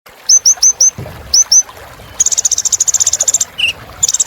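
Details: Kolibri ninja, a sunbird, recorded as a filler song for training cage birds: high, thin downslurred whistles in quick sets of four, then a fast run of bright chips and a short low note.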